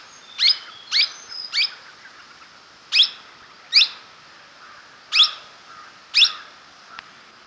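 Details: Blossom-headed Parakeet giving seven shrill, sharp, high-pitched notes, first in a quick run of three, then spaced about a second apart, against a faint hiss.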